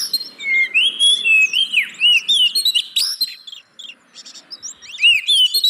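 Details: Oriental magpie-robin singing as a lure for caged birds that won't sing: loud sweeping whistles and rapid varied notes, a brief silence then renewed chatter at the end.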